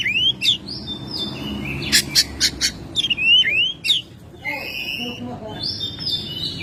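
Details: Home-kept Oriental magpie-robin singing actively in May: rising whistled slurs, sharp clicking notes around two seconds, and sustained high whistled tones, varied and rapid, with faint low background hum.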